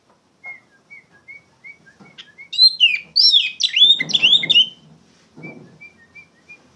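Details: Loud Oriental magpie-robin song for training young songbirds, with gentle short whistles leading into a dense burst of quick, varied whistled notes, some faint rustling, then soft whistles again.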